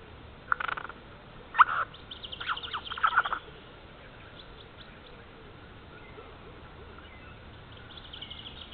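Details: Jay calling in the morning near an Estonian black stork nest camera, 30 March 2014, 9:18: several short, harsh, rasping bursts in the first three and a half seconds, followed by faint, scattered calls over steady background hiss.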